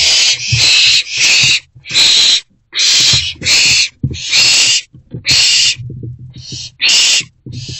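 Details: Owlet in a nest box at night, 24 April 2024 around 3 am, while eating a large rodent: loud broadband hissing screeches repeated roughly every 0.7 seconds, with soft thumps and rustling between them.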